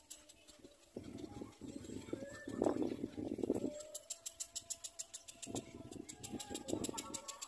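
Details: A little black cormorant chick begs while feeding from its mother, giving rough, buzzy squawks in two bursts, then a rapid run of sharp clicks and more short rasps near the end.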